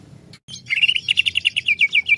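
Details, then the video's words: Excited greater green leafbird, cucak ijo, described as easily provoked, delivering a fast continuous run of bright chirped notes, each slurring slightly downward, after a brief silence. "CUCAK IJO lain cepat sekali emosi pancing c ijo ini"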